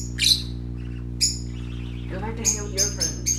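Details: Baby parakeets at play give loud, high chirps, a few early and then a quick run of four near the end, with a brief human voice between them and a low hum throughout.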